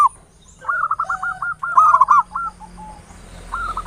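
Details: Local zebra dove used as a lure to provoke other birds into singing, in the ngayer nulop style: a quick series of rolling, trilled notes, followed after a pause by a fresh phrase, with faint background hum.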